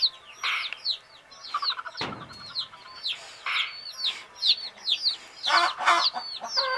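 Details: A group of hen's chicks drifting off to sleep: dense, overlapping high downslurred peeps, repeated rapidly and unevenly, with a sharp knock and a few harsher bursts.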